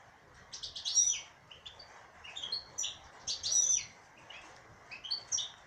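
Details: Singing caged female European goldfinch: three bright bursts of rapid liquid twitters and thin whistled notes, with short pauses between clusters.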